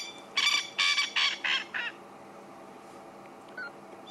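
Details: A male francolin, watched calling at Sabi Sand near sunset on 2 April 2016, gives a run of five loud, harsh, rasping notes that fade slightly toward the end; another male answers from further away.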